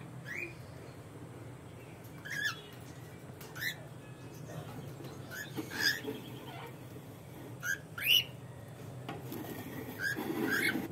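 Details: Cockatoos, a breeding pair at the nest in an aviary: short scattered harsh squawks, some rising, every few seconds, over constant low background hum.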